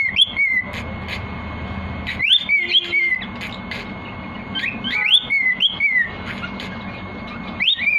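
A cockatiel gives bright, sweeping whistles in short bursts, rising then dipping, against a low indoor hum.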